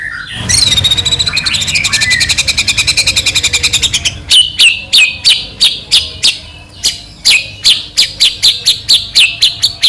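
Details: White-rumped shama song used to provoke a rival shama: a long fast buzzy rattle with wavering whistle, followed by loud sharp downslurred notes repeated irregularly.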